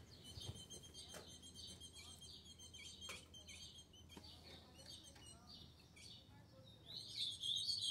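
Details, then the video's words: Female ultramarine grosbeak (azulão) giving quick, high, thin chip notes, several each second, over a steady high hiss and low hum; offered as a female call to stimulate a male azulão. "Fêmea de azulão melhor para esquentar o seu azulão"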